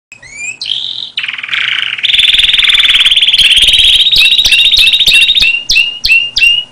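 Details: Canary singing: a few high upslurred whistled notes, then long buzzy rolled trills held at a steady high pitch, ending in a run of sharp repeated notes.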